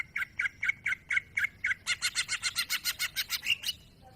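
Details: Greater green leafbird in vigorous masteran song: a steady series of about eight harsh chirps, then a faster buzzy rattling run of some fourteen pulses ending in a single whistled note, over faint background noise.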